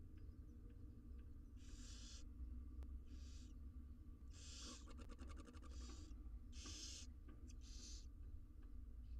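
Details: Barn owl nestlings, wild and six in number, beg inside their nest box while being fed: rasping hiss-shrieks roughly a second apart, with a stuttering rattle of clicks midway and a low background hum.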